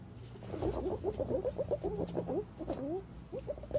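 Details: Green pigeon calls used as a lure for decoying green pigeons: a busy run of short, wavy, warbling whistled notes in a middle pitch, tumbling quickly one after another, with a low hum beneath.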